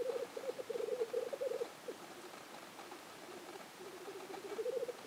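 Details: Black grouse at a lek in Innvik, 2014: low, rolling bubbling coos in dovelike, rapid pulses, loudest in the first two seconds, fading, then returning near the end.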